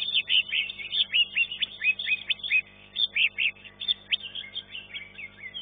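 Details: Green leafbird competing in a singing contest and taking third place in class 1; loud bursts of sharp, chattering whistled notes, about two per second, with brief gaps between phrases.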